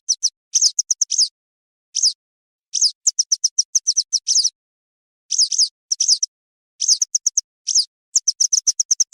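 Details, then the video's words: Wagtail calling, offered as a hunting lure: high, thin, downward-sweeping chirps mixed with fast strings of short clicks, repeated in irregular bursts every second or so over total silence. "افضل صوت لصيد ام رطيز - ام صفيد الصفراء - Western Yellow Wagtail call"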